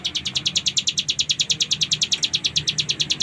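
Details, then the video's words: Ciblek gunung (hill prinia) singing in the full ngebren style: a fast, even train of high, sharp notes, roughly twelve per second, with a faint low hum beneath. "Cigun Gacor Full Ngebren !!!"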